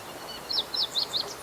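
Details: Meadow bunting singing in spring from reeds in a fallow rice field, recorded 19 April 2021: four sharp, high, downslurred notes repeated about every quarter second over a steady hiss of background noise.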